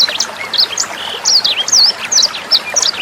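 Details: Sanger bird song for training songbirds: quick bursts of high, slurred whistles and twittering chirps, some notes swooping down and back up, over a soft bed of running water.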